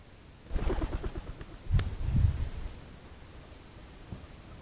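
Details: Common wood pigeon giving low, deep hooting notes in a short burst around the two-second mark, preceded by rustling broadband noise, then fading to quiet background.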